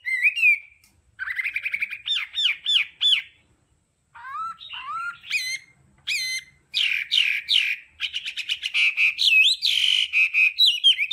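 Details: Varied Hwamei training song in the tone-switching đảo âm style, with bursts of rapid whistles separated by short silences, sharp rising notes and a dense chattering, squawky passage near the end.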